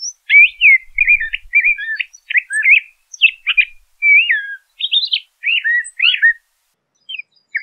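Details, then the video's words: LeConte's thrasher song of many varied whistled and chirped phrases, rising and falling slurs tumbling in quick succession, then a pause and a final thin note. "LeConte's Thrasher Bird Song, Call, Chirp, Voice - Cuitlacoche Pálido Canto"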